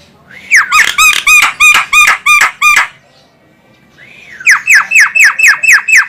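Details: Luring calls of a female Javan myna, Indonesia: a fast series of loud, harsh, ringing squawks about four per second, a short pause, then a rising whine followed by another even run of squawks.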